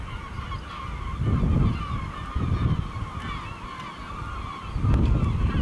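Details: Village gulls flying over El Ortegal as night falls: several overlapping nasal, wavering cries repeat in loose bursts, while deep low-pitched roaring noise swells and fades underneath.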